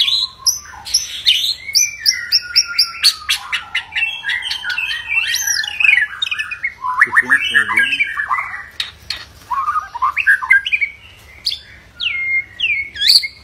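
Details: Agitated white-rumped shama pouring out a long fighting song meant to provoke others: loud rattling bursts, harsh squawky notes and swooping whistles in fast, ever-changing phrases.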